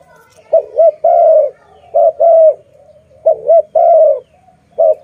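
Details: Loud cooing from a pet dove, each phrase a quick wavering two-part note and then a drawn-out level coo, repeated roughly every one and a half seconds, with quiet murmured coos between.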